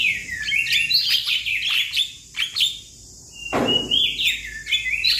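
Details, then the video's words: A young Javan myna calls to its companions in loud, varied whistled phrases, twisting and warbling high, a brief pause, then a harsh burst followed by more rising and falling whistles. "Jalak kebo Muda Memanggil Kawan Suara Asli Jalak Kebo"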